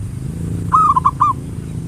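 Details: Local zebra dove singing a brief ngayer nulop lure phrase meant to excite other birds into song: a few quick, rolling, slightly buzzy notes over a steady low hum.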